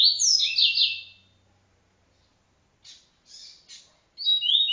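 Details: Double-collared seedeater singing the TuiTui encarte style: a loud tumbling phrase of buzzy stepped notes, a pause, three soft raspy chips, then the phrase starting again with a high whistled note.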